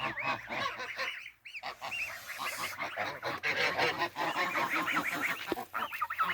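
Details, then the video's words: A flock of several geese honking together, dense overlapping nasal honks repeated rapidly, with a brief quiet gap near the middle and human laughter in the background. "Vários Gansos fazendo barulho, esses sabem fazer barulho."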